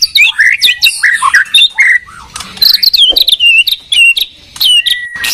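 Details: Dueling white-rumped shamas, one from Medan and one from Borneo, trade loud, varied whistled phrases. Rising and falling slurs and crisp high notes come in quick bursts with brief pauses between them.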